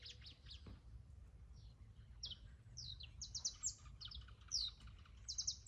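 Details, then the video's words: Canary song starting quietly and building into loud, rapid trills and sharp chirped notes, rolling phrases packed together toward the end, with a low hum underneath. "Hermoso canario"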